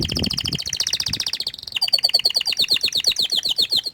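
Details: Canary song made of a fast rolling trill that changes after about a second and a half into a higher, even string of sharp repeated notes. A brief low thump sounds at the start.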